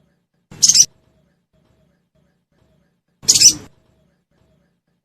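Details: Sogon lure sound for caged birds: clipped, high, rasping chirps spaced nearly three seconds apart, with silence between them.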